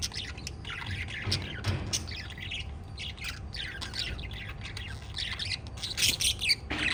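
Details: Five lovebirds chirping and fluttering as a parrot family: bright, dense bursts of high squeaky chirps, growing louder and shriller toward the end, over a low hum.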